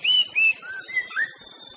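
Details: Aceh white-rumped shama giving a few clear whistled notes, level and gently rising, spaced by short pauses over a steady hiss.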